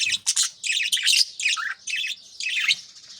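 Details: Early-morning budgerigars, a breeding group feeding chicks in nest pots, pour out nonstop warbling chatter: buzzy, high, rolling chirps run together with hardly a break, plus a soft low bump at the start.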